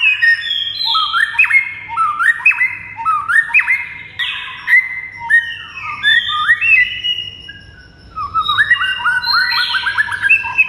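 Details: A white-rumped shama sings training song in quick whistled phrases, each a rising slur ending in a sharp note, repeated in series, then a higher burst of rapid varied notes.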